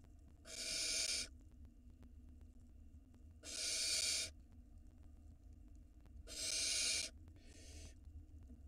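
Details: Barn owl nestling reaching the nest entrance, recorded by a live camera in Israel in 2022. Rasping, snore-like hisses repeat about every three seconds, four in all, the last one shorter and softer.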